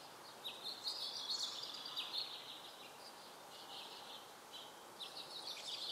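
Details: House finch recorded with a Panasonic Lumix GH2 camera, singing a long, rambling high warble of quick twittering notes that runs almost continuously, over a steady hiss of outdoor noise.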